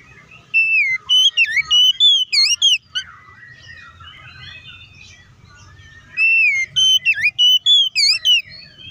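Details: Oriental magpie-robin, a lure song for provoking rivals: two loud bursts of whistled, swooping notes and short chips, separated by about three seconds of soft twittering.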